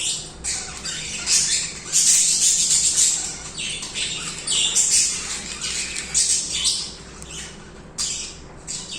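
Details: Pet budgerigars singing continuously indoors, a dense scratchy chatter of high chirps and warbles with bursts every second or so, several birds overlapping.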